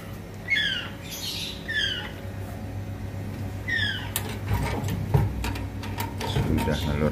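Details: Captive-bred African grey parrot uttering a few rasping, falling squawks early on, followed by clattering and knocking sounds like a door or cage being moved over a low hum.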